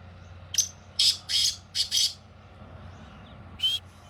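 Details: Black francolin, the Sindhi kala tetar, calling in fields. A brief note leads into four rasping, scratchy bursts over about one and a half seconds. A single further harsh note follows after a pause, with a low hum beneath.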